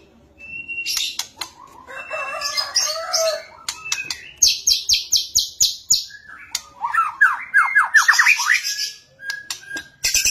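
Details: Energetic fighting song of a caged white-rumped shama for training birds: rapid mix of buzzy high notes, a series of about eight sharp repeated chips, then quick rising slurred whistles and harsh bursts.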